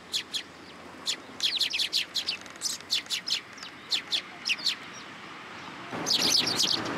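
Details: Sparrows arriving at a Tenmangū shrine early in the morning to be fed, 27 September 2022; many short, sharp chirps in irregular quick bursts, ending in a dense flurry of overlapping chirping.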